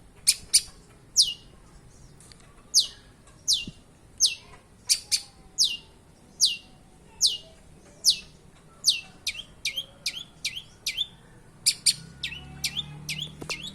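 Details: Mimicking long-tailed shrike delivering a steady series of piercing high downslurred notes, speeding up into a rapid run of short strokes near the end, with a low rumble entering at the close.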